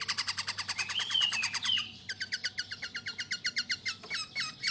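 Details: Masked laughingthrush, called poksay Hongkong, an imported songbird, singing rapid repeated high notes, first a fast trill under a rising-falling whistle, then evenly spaced clipped chirps, with faint background hum.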